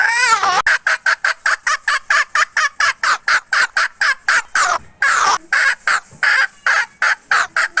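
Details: Hen from 2021 cackling nonstop in a fast, regular stream of about thirty short, clipped, nasal notes, broken by two longer wavering squawks, with nothing else audible.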